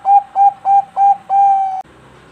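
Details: Farm-bred Bangkok zebra dove from Bekasi, West Java, singing to lure other doves: four short evenly spaced coos, then a long drawn coo that stops abruptly, leaving only faint background hum.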